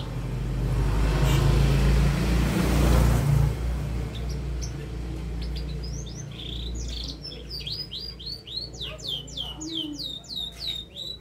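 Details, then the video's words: Canary, noted as learning head-shaking, starts singing after a loud noisy rustle; from midway it gives sharp rising-falling chirps and a quick trill run over a faint low hum. "kenari gacor belajar geleng-geleng kepala"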